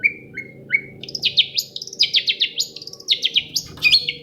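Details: Shrike answering a lure song that provokes it to sing; three short rising whistles open, then a rapid chattering run of sharp, varied notes.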